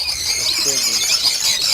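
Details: Lovebirds at a breeding farm holding 800 pairs: dense, continuous high-pitched chattering and squeaking from many birds, with a man's voice faintly underneath.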